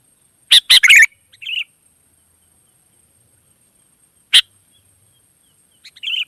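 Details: Lively calling of wild sooty-headed bulbuls responding to one another: a quick cluster of loud chirps, a softer trailing note, a lone sharp chirp later, and a faint short phrase at the end.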